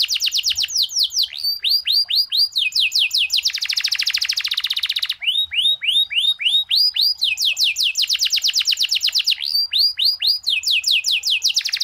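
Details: Canary singing gacor with long ngerol rolling trills and unique cengkok phrasing, offered as training material for other canaries: rapid high rising sweeps repeated many times per second, changing into buzzy stretches and new trill phrases, nearly nonstop.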